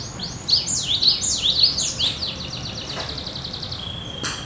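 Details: Cinereous tit in vigorous, steady song likened to a wild bird: about six loud two-part whistled phrases, each a high note dropping into a lower slur, then a fast, even trill of short notes and one sustained whistle.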